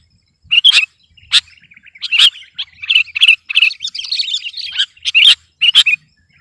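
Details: Sooty-headed bulbul singing persistently in a style meant to overpower rivals: bursts of bright, chattering chirps and short twittered phrases, loud accented notes punctuating a busy warble, with brief pauses.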